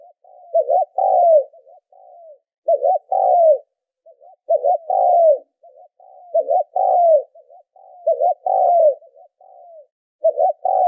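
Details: Spotted dove cooing in Vietnam, used as a lure to stimulate decoy birds. Phrases repeat about every two seconds, each a quick wavering double note followed by a long descending coo. Soft trailing notes fill the gaps, with no other sounds.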